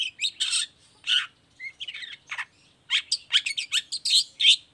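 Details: Long-tailed shrike in steady song used to lure other shrikes into answering; harsh grating notes alternate with short whistles, then a quick burst of sharp, varied chirps.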